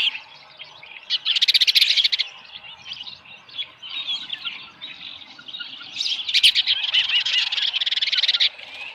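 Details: Osprey at a ranch nest with a small live fish, 13 July 2018, about 7:10 AM; two bursts of rapid, high chirps rise and fall in loudness, separated by softer scattered calling.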